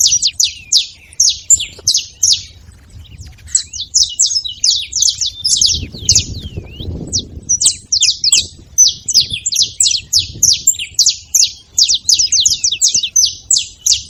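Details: Long stretch of busy, high-pitched chirping by a saffron finch, dense rapid chips in irregular bursts with occasional short slurred notes, steady low background noise.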